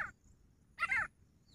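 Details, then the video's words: Grey francolin, known locally as teetar, recorded 2 August 2023: a harsh, ringing note cut off at the start, then a louder quarter-second burst of rich, grating notes after a pause, over a quiet low rumble. "grey francolin voice of Teetar Jungle Teetar awaaz"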